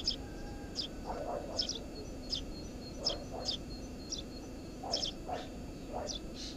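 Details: Tree sparrow at a nest beneath a house roof: sharp, high chirps about every half second to second, paired with softer lower calls, against a constant low background drone.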